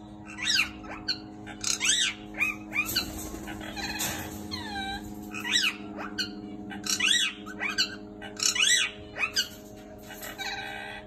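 Turquoise parrots twitter in high, sharp chirps and short tinkling bursts, roughly one or two a second, over a steady low indoor hum.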